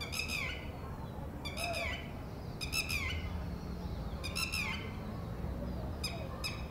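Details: Red-wattled lapwing female calling from a distance as one of four eggs hatches at a ground nest, warning the newly hatched chick of possible predators; harsh, ringing notes in short bursts of two to four, repeated every one to two seconds over a low rumbling background.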